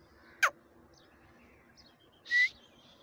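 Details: Quail in jungle, 6/1/2021, gives two short calls about two seconds apart: a sharp downward-swept note, then a brief rising whistle, over a quiet outdoor background.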